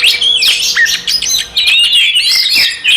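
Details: Oriental magpie-robin pouring out a fighting song that goads other magpie-robins: thick, loud bursts of whistles and buzzy trills, briefly dipping at mid-clip before resuming.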